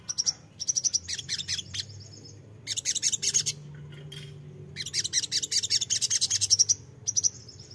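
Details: Crimson sunbird lure song to make young birds respond. Rapid, very high chattering bursts of chirps, each lasting a second or two, are separated by short pauses. Faint low hum runs underneath.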